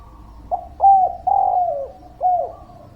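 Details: Spotted dove lure song for reluctant singers: one full phrase, a faint opening note, a firm coo, a long wavering descending coo, then a short final coo, mellow and clean.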